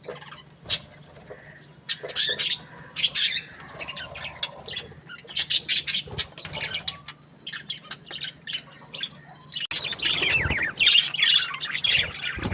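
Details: Happy budgie with sparse sharp chirps and clicks at first, then a louder stretch of dense warbling chatter near the end alongside a brief fluttering or rustling sound.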